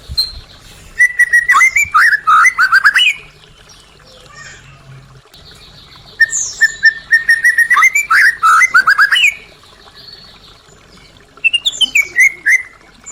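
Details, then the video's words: White-rumped shama singing to stimulate caged birds that went quiet: three loud bursts of rapid whistled, rising and falling notes, each a few seconds long, separated by quieter pauses. "Pancingan murai batu macet bunyi | Suara asli murai batu"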